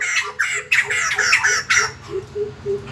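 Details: Morning song of the white-crested laughingthrush: a run of raspy, squawking notes in quick succession that fades after a second and a half, leaving low repeated hoots and background hum.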